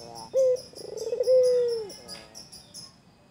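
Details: White Barbary dove in full voice, teasing a rival: a short clipped note, a rolling run of pulsed coos, then one long, level, drawn-out coo that falls away at the end. Faint high chirps sound behind it.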